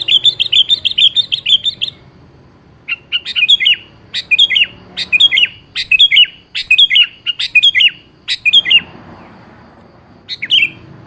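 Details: Sooty-headed bulbul singing to lure a reluctant bird into responding: a rapid run of chirpy notes, then about nine short bubbly phrases repeated roughly once per second, and a final phrase after a pause.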